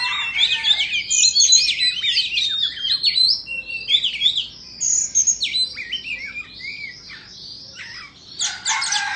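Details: White-rumped shama of the Indo type singing while dancing: a dense run of sweet whistles, quick slurred notes and harsh chatters, high-pitched and varied, fading to softer phrases before a loud burst at the end.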